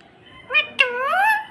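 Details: Pet talking parrot answering its owner's questions: two short voiced syllables, the second drawn out with a slowly rising and falling tone, in a quiet room.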